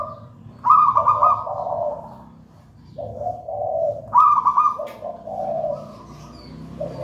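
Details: Wild-caught local zebra dove, taken from a nest in a plantain plant, singing its cooing song: soft rolling coos, two phrases each with a brighter trilled note followed by lower purring coos.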